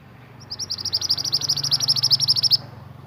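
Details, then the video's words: Pied bushchat, an Indonesian native bird, singing actively as a tutor for caged songbirds: a two-second run of about twenty shrill high notes, evenly spaced and pulsing slightly in loudness, with a low hum behind. "BURUNG MANTENAN GACOR UNTUK MASTERAN"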